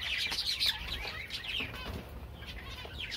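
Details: Java sparrows singing together: busy, high-pitched chirping and short trilled notes tumble over each other, with a louder bright squeak near the start and quieter chatter after.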